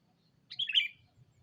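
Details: Sooty-headed bulbul lure call directed at a rival: one short burbling, warbled phrase of run-together chirps, with a faint low hum.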